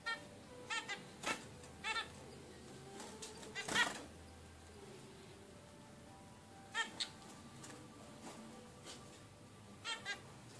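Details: Zebra finch chick, 16 days old: short, nasal, harmonic-rich calls given singly or in quick pairs at irregular intervals, with long quiet gaps between and a low steady background hum.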